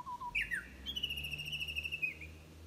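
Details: Japanese bush warbler singing unseen, one of six song variations; two soft low whistles, then a sliding note and a long high, slightly wavering whistled trill fading off, with faint low hum beneath.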